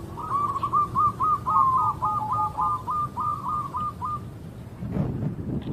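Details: Lively local zebra dove used as a trapping lure: an unbroken four-second string of rapid, even, slightly rising coo notes, then quiet with a low rumbling noise at the end.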